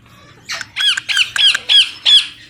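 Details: Baby Indian ringneck parakeet, a desi parrot, giving six harsh, rasping squawks, each a short grating burst, spaced about a third of a second apart and growing slightly louder toward the end; no other sounds.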